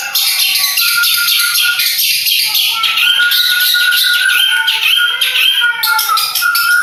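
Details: Long-tailed shrike of the Madura type, hailed as a competition champion, singing a continuous dense chatter of scratchy notes over drawn-out whistled tones, with no pauses.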